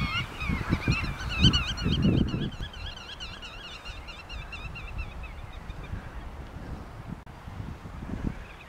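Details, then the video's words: Geese in a meadow on Ameland, the Netherlands: clear, nasal wavering honks repeated in quick succession, loudest at the start and fading out, over a bed of wind noise. "een weiland vol ganzen"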